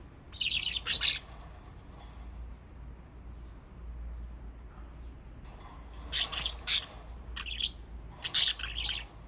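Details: Budgerigars kept as pets in Japan, playing in water: scattered bursts of scratchy, noisy chirps in groups of two or three, separated by quiet stretches with faint rustling.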